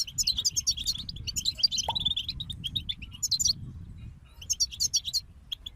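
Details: Group of European goldfinches in song, with quick tinkling twitters and rolling trills packed through the first three and a half seconds, a quiet gap, then a fresh burst of bright chirps and scattered notes.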